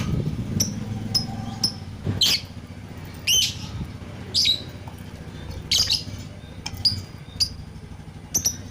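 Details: Lovebird singing with isolated shrill chirps and short squeaky bursts scattered over several seconds, against a steady low hum.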